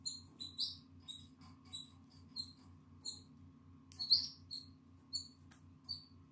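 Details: Nine-day-old Atlantic canary chick in the nest, eyes open and feathers coming in, recorded 14 April 2022: thin, high squeaky cheeps in short repeated bursts, a few louder squeals, over a steady low mechanical hum.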